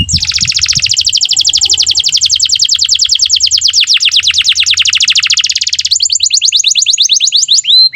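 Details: Canary singing an elaborate song used as a model for training young canaries: a long, very fast, even trill of high notes lasting about six seconds, then a brief shift to sharper repeated notes.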